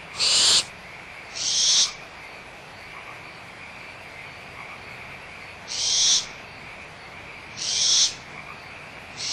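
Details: Barn owl owlets quarrelling over leftover food at Audubon Starr Ranch Sanctuary, 17 April 2011, mother nearby; two quick harsh hisses, a four-second gap, then two more, set against a steady frog concert.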